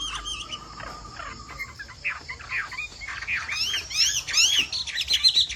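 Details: Song of a Chinese hwamei, bộ tam hoàng style, flowing like rain: a steady faint whistle, then a run of quick, rising and falling whistled phrases that grow louder and denser toward the end.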